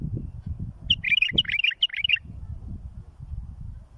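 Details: Tutoring song of a bulbul for fledglings: one lively phrase of about a dozen quick, sweet chirped notes lasting just over a second, with low rumbling noise throughout.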